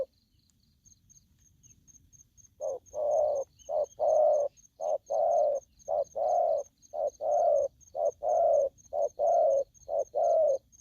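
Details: After about two seconds of near silence, an aggressive young wild-caught spotted dove starts a fast run of low paired coos, short note then longer note, close together, with faint high ticking throughout.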